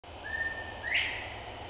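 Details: One of four Northern Bobwhites at Abita Creek Flatwoods Preserve, Abita Springs, Louisiana, sings a clear whistled note followed by a louder, sharply rising whistle, the familiar "bob-white", over a soft background hiss.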